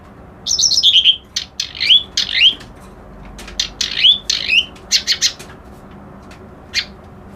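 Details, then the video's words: Reed warbler song mixing a falling whistled trill with scratchy chatter and upward-sweeping whistled notes, thinning out to single clicks toward the end. "Suara Burung Kerak Basi Alis Putih"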